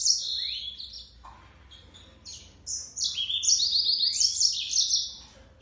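A yellow-fronted canary sings a fast, high, twittering warble of sliding whistles and rapid trills, with only faint background hiss.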